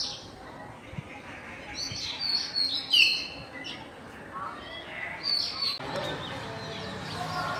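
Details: Common hill mynas calling on a campus in afternoon light, 6 February 2024: high clipped whistles and chirps in quick bursts, the loudest near three seconds, over a steady background hum.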